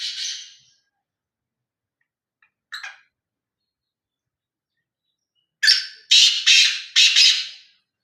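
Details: Black francolin calling: a harsh buzzy note, a brief rasp near the three-second mark, then a loud grating phrase of four clipped notes, the first one sharper and higher, the following three broad and scratchy, otherwise silent.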